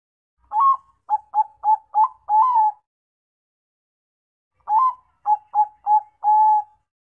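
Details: Zebra dove of the Bangkok perkutut type giving two clean cooing phrases, each a slightly rising opening coo, four quick clipped coos and a drawn-out final note, separated by about two seconds of silence; no other sounds.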